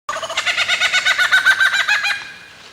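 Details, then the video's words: Male lyrebird singing in winter to attract a mate, part of a display at his cleared arena; a loud, rapid run of harmonic notes at about ten per second for two seconds, then fading away. "Lyrebird's Ultimate Talent Show | Nature's Mimicry"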